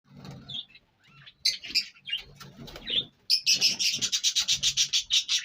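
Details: Indian ringneck parrot from Punjab, Pakistan, giving scattered squawks that break into a fast run of harsh, raspy screeches, about three per second, in the final two seconds.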